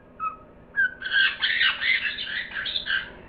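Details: A parrot gives a few short whistles, then a dense burst of harsh, chattering squawks and warbling notes running continuously for about two seconds.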